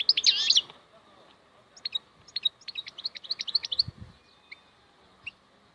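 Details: Goldfinch (maknine) opening with a loud, rich twittering burst, then a run of short, separate high chirps, with a soft low thud midway.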